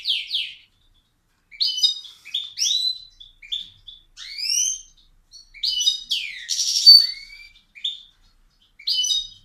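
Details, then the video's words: Loud song from a caged bird that sings whenever its owner walks into the room and pecks if approached; separate bursts of bright chirps and down-slurred whistles, spaced by short pauses. "This crazy bird sings very loud"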